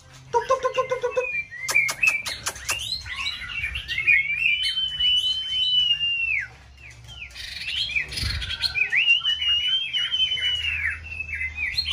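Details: Caged white-rumped shama in full breeding season, used to provoke another bird into multi-style singing contest: clear whistled, slurred phrases near high pitch with varied rising and falling notes, preceded by low repeated clucks and sharp clicks.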